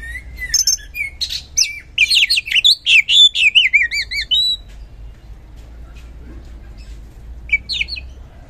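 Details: Oriental magpie-robin singing in loud, continuous 'gacor ngeplong' style, used as a lure to get reluctant magpie-robins to sing: rapid run of sweet whistles and warbled trills for five seconds, then near silence with one last short phrase.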